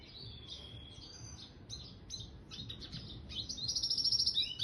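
A red siskin mule sings a fast, high twittering song of short chirps and warbles, ending in a bright, rapid trill over a low background hum.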